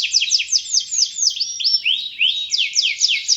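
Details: Canary song of high, sweeping slurred notes in quick succession, some rising, some falling, with a brief rolling passage near the middle; bold and continuous, used to stimulate young birds.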